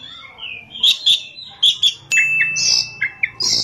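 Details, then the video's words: Oriental magpie-robin (kacer) in full chatty song, in the rolling and shooting styles (ngerol, nembak): loud sliding whistles, sharp repeated chips and rough high bursts, delivered in quick succession. "kacer gacor ngerol,nembak"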